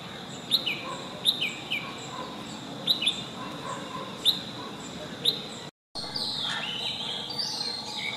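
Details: Long-tailed shrike singing and chirping: short sharp high chirps in small clusters, several in the first five seconds, over steady hiss, with a brief gap of silence near the end.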